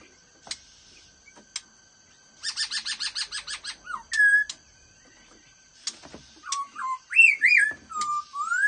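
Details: Black-throated laughingthrush singing in the fast-beak style: a fast series of about a dozen metallic chips, a held whistle, then looping, warbled whistles that rise and fall, loud and clear over a faint steady hum.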